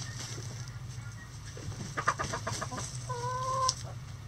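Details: Backyard chickens going about their day, with a jumble of quiet clucks followed by a clear, drawn-out harmonic call lasting about half a second, over a steady low hum.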